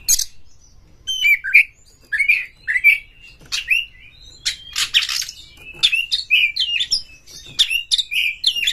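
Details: Varied Oriental magpie-robin song meant to trigger singing and tail-opening in other birds: fast alternation of dry buzzy notes and looping whistled phrases, continuous over several seconds.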